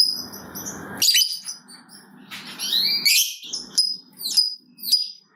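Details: Lovebird chirping used as a singing lure for other lovebirds: loud, sharp high chirps and twitters in irregular bursts above a low rustling hum.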